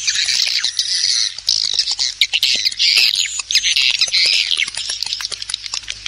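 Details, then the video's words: Wing flapping and calls of swiftlets, used to attract them: loud, packed high twittering and buzzy chirps with quick flutters, nearly continuous. "Suara panggil walet || kepakan sayap"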